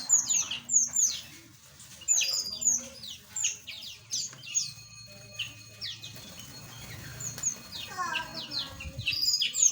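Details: Small aviary birds calling, with high clipped chirps in bunches, a few longer even whistled tones, and a brief buzzy trill near the end, with a low hum underneath.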